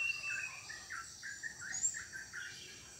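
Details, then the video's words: Plaintive cuckoo, locally called sirit uncuing or kedasih, a loud bird heard at night in villages; a series of short whistled notes repeated about three times a second and stepping slightly lower, with faint high insect-like buzzing behind. "Suara Burung Uncuing"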